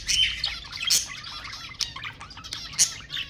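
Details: Budgerigars, captive, played to stimulate mating: dense high chattering warble with scattered sharp chirps and a few louder squawks, several birds overlapping.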